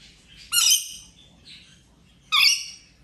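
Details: Rainbow lorikeet at play during a ten-day injury recovery, uttering two loud, harsh screeches nearly two seconds apart, with a faint soft chirp between them.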